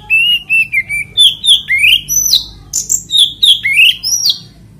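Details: Oriental magpie-robin (kacer) singing to prompt other magpie-robins to join in: a continuous series of clear whistled phrases, some flat, some sweeping upward, interspersed with sharp high chips, each note roughly a third of a second apart.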